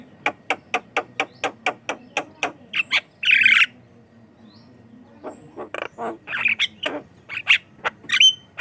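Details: Javan myna in vigorous song, used as a lure for other mynas: a steady series of sharp clicks, a long harsh rasp, then mixed chatter and a closing whistle.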